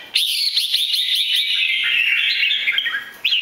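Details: Three-season-old red-whiskered bulbul originating from Bình Định, Vietnam, singing with a butterfly-wing display. One long, continuous, rich warbling phrase with rapid pulsed notes, then a fresh whistled note starts.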